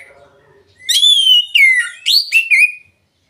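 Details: Oriental magpie-robin song used as a lure to prompt reluctant birds into singing, with clear, full open-voiced delivery: a few loud whistled phrases, one long sliding note, then falling and rising slurs, silence afterward.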